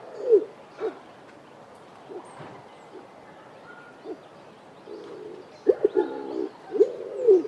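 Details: A Speckled Pigeon (Columba guinea) in a garden in the Eastern Cape, South Africa, gives deep, hollow coos, single notes spaced unevenly, then a quicker run of hooting notes near the end.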